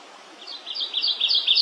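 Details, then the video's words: Song of the Kentucky warbler, which lives in the south-eastern United States and north-eastern Mexico: quick rich repeated two-part phrases building in loudness, clear and ringing, with little background sound. "Kentucky warbler (Geothlypis formosa), Parula del Kentucky"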